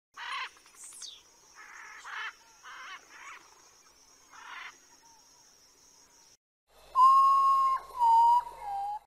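Saffron finch giving short, buzzy chirped bursts about once a second over a steady high whine, then a lower, level whistled phrase against background hiss.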